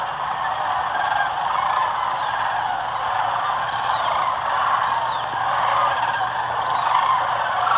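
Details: A couple hundred sandhill cranes streaming overhead at Muscatatuck National Wildlife Refuge, southern Indiana, on January 24 make a dense, unbroken chorus of rolling, rattling calls, with a faint low hum underneath.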